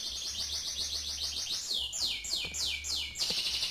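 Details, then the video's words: Canary trilling rapidly in high buzzy notes, then switching to five slower, louder downward slurs near the end, with a low hum beneath. "kenari mirip sang legenda tc1"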